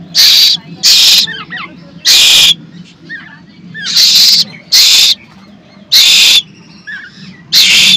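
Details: A hungry Asian koel chick, hand-fed in a pigeon cage, begs with eight loud, raspy, hissing screeches at uneven intervals, with faint chirps and a person murmuring between them.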